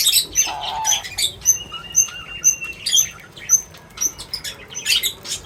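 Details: Birds at a feeding spot chirping in quick, high-pitched notes roughly twice a second, with a brief lower buzzy note near the start and a faint sustained tone.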